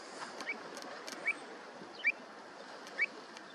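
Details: Pied avocet chicks giving a few thin, high peeping notes spaced about a second apart, each a quick upward chirp, over a soft steady hiss.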